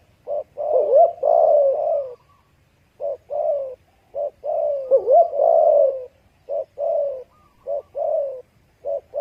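Spotted dove giving soft, low hooting coos in repeated phrases, a short note or two then a longer drawn-out coo, roughly every four seconds.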